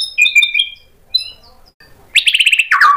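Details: A white-rumped shama, stirred into answering song and showing mimicked phrases, gives smooth level whistles, a pause, then a rapid harsh chattering burst that drops into a lower slur.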